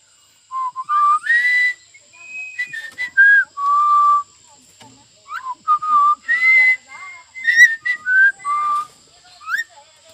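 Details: A pet Javan myna talks in a run of clear whistled phrases, some rising and some level, broken by harsh, breathy bursts that mimic speech, repeating words such as "Pancasila" and "pagi" (morning).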